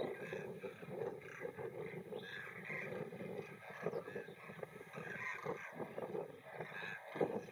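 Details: In a field in India, a vast flock of Demoiselle Cranes on the wing and on the ground produces a steady wall of overlapping croaks and rattles, pulsing unevenly throughout.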